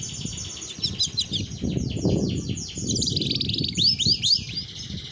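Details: Female domestic canary singing actively in a roll song (ngerol): rapid high trills and repeated sweeping whistled notes, shifting pitch midway, over a steady low rumbling background.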